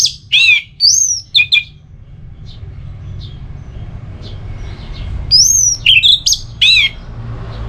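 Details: Orange-headed thrush from northern Bali singing two separated bursts of high whistled and slurred notes with a long quiet gap between, song used to stimulate another bird to sing.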